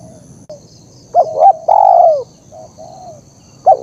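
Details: Spotted dove training and luring recording: quieter overlapping coos, a long downward-sliding coo in the middle, softer level coos after it, and a short sharp coo at the end.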